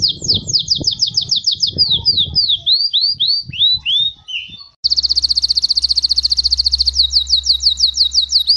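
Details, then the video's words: Tutor song of a Belgian canary for young birds: quick downslurred notes, then slower swooping whistles, then a fast, even, rolling trill over a faint low hum. "ENCARTE CANÁRIO BELGA PARA FILHOTES"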